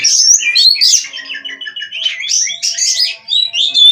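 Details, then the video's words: Caged Oriental magpie-robin (kacer) from an Indonesian breeder giving a fast, jumbled song of sharp whistled notes, trills and twittering phrases, steady throughout with a high clear whistle at the close. "GACOR NONSTOP!! Rahasia Kacer Bikin Semua Kaget!"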